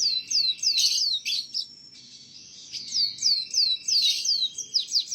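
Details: Canary singing masteran tutor song meant for young canaries: a series of sharp down-slurred whistles, several per second, broken by a short buzzy pause before the sweeping notes resume.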